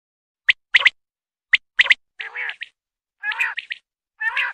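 Common quail giving two pairs of sharp, clipped notes, then three nasal, buzzy, wavering notes about a second apart. No other sounds are heard.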